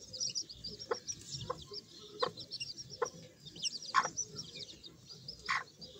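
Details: Sebright chicks giving a steady stream of high, thin peeps that overlap into a shimmering chorus, with soft sharp taps every second or so beneath them.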